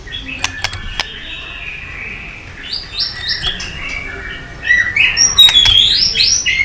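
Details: White-rumped shama giving a long song meant to provoke fighting: soft warbled whistles around mid-high pitch, with a few sharp clicks early on, then louder, richer phrases toward the end.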